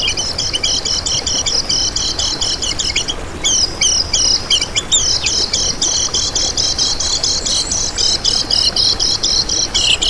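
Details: Ten seconds of nonstop lemon-bellied white-eye song, a lure for trapping and a model for competition birds: very high, rapid, buzzy trilled chatter with one short break, then steady streaming twitter.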